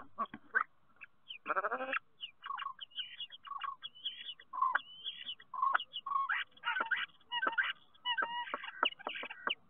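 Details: Starling song from a nest box in Théding, France, recorded 10 March 2023: a rising buzzy rattle, then varied short whistles, clear tonal notes and clicking chatter in quick succession.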